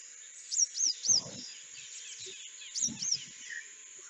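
Purple-rumped Sunbird giving thin, very high twisting notes, three in a quick run, then two more, with low muffled thumps in the background.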